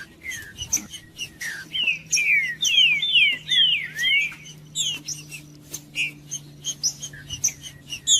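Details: Green-winged saltator (trinca-ferro) song used as natural stimulating audio to warm up other trinca-ferros, as tournament breeders do: a quick run of slurred, downward-sweeping clear whistles mid-clip, among many sharp short chirps and clicks, with a faint low steady hum.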